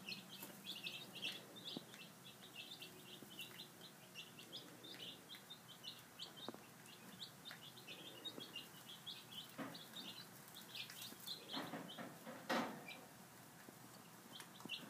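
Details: Five-day-old domestic chicks at breakfast, peeping continuously in rapid high chirps, many birds calling together, with occasional clicks and knocks in the background.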